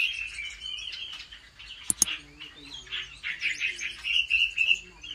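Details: A home-trained Chinese hwamei singing in competition style: softer broken phrases and a pair of sharp clicks, then a stronger closing burst of short, quickly repeated whistled notes.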